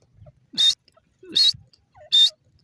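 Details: Grey francolin, known locally as dasi teetar, calling: three loud, shrill, rasping bursts about 0.8 seconds apart, each preceded by a soft lower note, with a quiet background.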